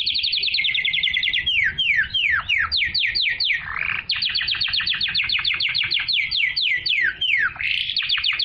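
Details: Pure canary song meant to stimulate hens to mate and teach chicks: fast runs of high descending sweeps repeated several per second, changing speed between tours with brief pauses, bright and continuous throughout.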